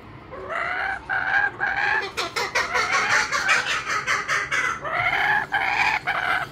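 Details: A kookaburra in Brisbane, Australia, gives a loud, rollicking laugh: hooting notes build into a rapid, cackling chatter, then ease back into rhythmic hoots.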